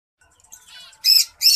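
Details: During courtship a white-headed munia gives a faint, quiet twitter followed by two loud, short, high buzzy bursts in quick succession.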